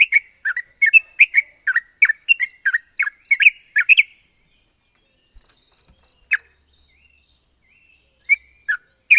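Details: Yellow-vented bulbul song for stirring quiet birds to reply: four seconds of fast chattering liquid phrases, then near silence with faint chips and a few isolated notes near the end, over a constant high hiss.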